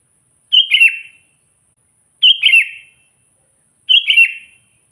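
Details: Sooty-headed bulbul calling to wild rivals and stirring them up, natural unmixed voice: three bubbly fluted phrases spaced roughly every 1.7 seconds, each a quick rising-falling warble with a brief trailing note.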